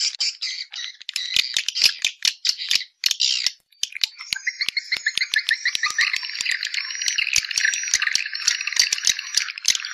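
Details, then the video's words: Outdoor swiftlet sound made in Malaysia, played to draw swiftlets into a house to nest. Sharp dry clicks repeat rapidly throughout, first over buzzy chirping and then under a dense, continuous high twittering chorus. "TIẾNG CHIM YẾN NGOÀI TRỜI 2020 MADE IN MALAYSIA"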